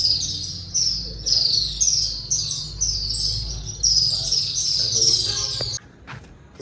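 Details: Loud calls of unseen swallows inside Katas Raj temple: rapid high chirps come in repeated bursts about every half second, then stop abruptly, leaving quiet with a few soft knocks.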